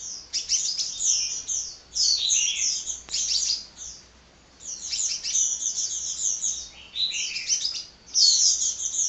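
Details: Hummingbird singing nonstop: rapid, very high, thin twittering phrases in dense bursts, broken by a short pause near the middle, with a faint low hum underneath.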